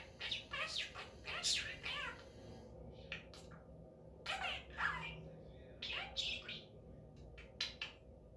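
A budgerigar chatters in rapid, scratchy bursts of imitated speech mixed with bright chirps.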